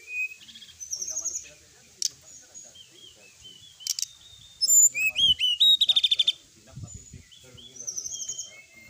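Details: Sooty-headed bulbul in varied training song: soft whistles and chips, then a loud rapid burst of stacked upsweeping notes and a quick trill, followed by quieter warbled phrases and background clicks.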